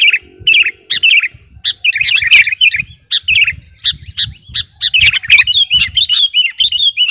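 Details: Lively sooty-headed bulbul ('kutilang garuda') song used for luring or master training: short bubbly whistled phrases, some slurring down, delivered in quick uneven bursts, with a faint low hum behind.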